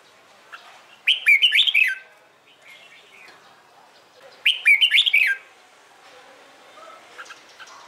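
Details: Red-whiskered bulbul morning competition song, used to train birds for singing contests: two short bursts of rapid, bright warbled notes mixed with sharp clicks, about three and a half seconds apart, over a quiet background with faint distant chirps.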